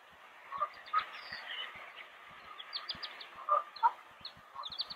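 Mallards giving short, soft nasal calls at an uneven pace, with thin high chirps from small birds and low knocking sounds in the background.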